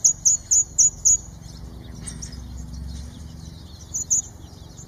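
A northern red bishop gives a quick run of five thin, very high chips, then a short pause and two or three more.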